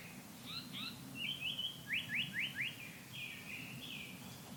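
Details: Japanese paradise flycatcher song, heard as 'hoit hoit'. A few thin upslurred notes lead into a quick run of four loud downward-sweeping whistles, ending in softer slurred phrases over a low steady hum.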